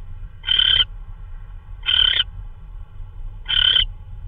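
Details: Owl delivering a prey item, perhaps a vole, at 3:12 AM, March 16, 2013; three rough, noisy screeches sound at even intervals of about 1.5 seconds, with a faint low drone beneath.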